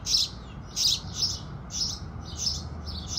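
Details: Rapid, emphatic chirping by house sparrows at sunrise: strong, rough notes in quick succession, several per second, the first ones loudest, against a calm backdrop.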